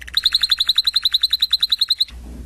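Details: Canaries singing: a fast rolling trill of bright, evenly spaced notes at about eight per second for two seconds, ending abruptly in quiet with a faint low hum.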